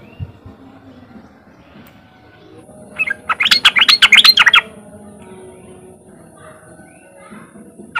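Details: A single riwik outburst from a sooty-headed bulbul, used as a lure for untrained bulbuls: roughly ten quick, ringing chirps over a second and a half, set against faint background murmur.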